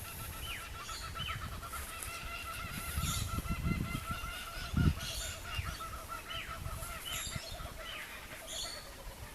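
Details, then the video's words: Distant laughing kookaburras give their morning song, a rolling, chuckling chorus of rapid repeated notes rising and falling, at a koala sanctuary in the morning, over low rumbling wind and handling noise. "And if you listen, you can hear laughing kookaburras singing their morning song in the distance."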